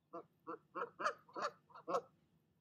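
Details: Mother goose scolding another goose away from her nest: seven loud, grating honks spaced about a third of a second apart, the middle ones harshest.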